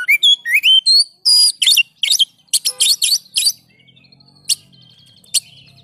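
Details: Oriental magpie-robin (kacer), played to coax silent caged birds into singing: quick rising whistles and loud rasping chatter, then a quiet pause broken by two sharp clicks.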